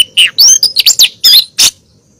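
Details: A female oriental magpie-robin calls the male, meant to draw out a captive male's song; about six quick, loud notes: a falling whistle, rising slurs and a final harsh chip, then silence.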